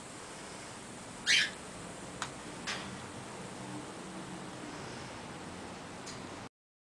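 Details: A pet little (short-billed) corella using a foraging wheel toy gives one brief, harsh, raspy screech, then a few soft clicks and taps against a quiet hiss.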